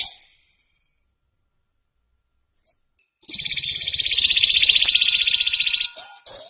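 A canary gives a brief note, falls silent for nearly three seconds, then bursts into a fast, dense, high trilling roll ending in clear whistles.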